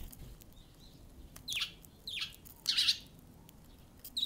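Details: The first wild Eurasian tree sparrow to arrive on 13 February calls with four sharp chirps, some dropping in pitch, spaced irregularly across a few seconds against a soft low hum.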